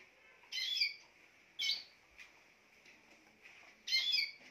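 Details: Spanish timbrado canary singing: three bright, ringing phrases with stacked metallic notes, spaced over about four seconds, with quiet pauses between them.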